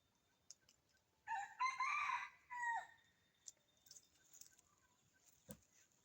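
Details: A red junglefowl in jungle next to a home, one of two or three wild birds calling back and forth on a winter morning, gives a single strong crow of about one and a half seconds, then soft distant chirps.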